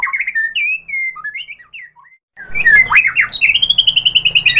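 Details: Lure song of a white-rumped shama, meant to make other shamas reply: clear slurred whistles with a brief silence, then an abrupt switch to a dense, rapid, buzzy jumble of high notes.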